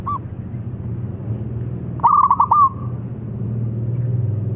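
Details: Zebra dove song said to provoke any rival dove into answering; a single short phrase of quick, stuttering coos over a steady low hum.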